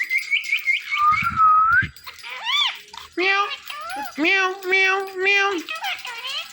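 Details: Talking pet Indian ringneck parakeet, said to say Mittu: a quick string of short tonal notes and a long dipping whistle, then several loud, rich, word-like syllables with strong harmonics in a quiet room.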